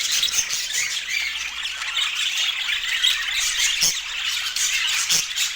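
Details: Budgerigars eating together, their chirps blending into a bright, unbroken warbling chatter, with occasional sharp clicks standing out above the flock noise.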